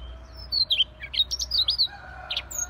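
A Siberian rubythroat sings a quick, varied run of high, scratchy chirps and short sliding whistles over a faint low hum.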